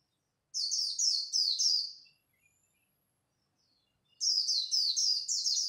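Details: White-eye singing khuyên líu competition song at dawn: two dense bursts of rapid, high, twittering notes, each lasting over a second, with a quiet gap between.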